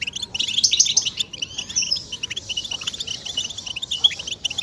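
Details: Goldfinch song meant to rouse males to sing and break their silence, given as mating calls: a rapid jumble of high twittering notes and buzzy chips, steady throughout, slightly quieter and thinner than a full chorus.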